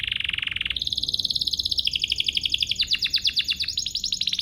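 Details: Domestic canary song used to spur other canaries to sing: a steady buzzy roll shifting into faster pulsed trills and chopped descending rattles, rhythmic throughout.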